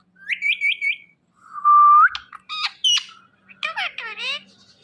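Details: Indian ringneck parrot calling "Mithu": short harmonic chirps repeated three times, then a long flat whistled note, then scratchy squawks and a rasping, wavering ending.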